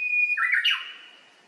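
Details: Plump Japanese bush warbler singing repeatedly, recorded 29 April 2024: a steady whistled note cut short, dropping into a lower warbled flourish that briefly jumps higher, then fades out.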